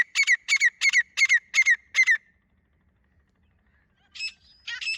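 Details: Female grey francolin (teetar), recorded 24 January 2025: six loud, harsh, evenly spaced notes in about two seconds, a pause, then two further rasping notes. No other sounds.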